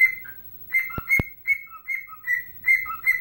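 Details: Dancing and whistling its rendition of Chelsea Dagger, a pet bird gives bright, clear notes alternating high and low in a bouncy tune, two sharp clicks early on, a quiet hum below.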